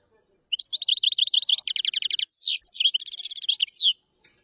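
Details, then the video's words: Common chaffinch singing one full song: a fast run of repeated sharp chirping notes that speeds into a rattling trill, then a short pause and a second burst of quick notes ending in a downslurred flourish. The background is quiet. "تغريد تبلاط"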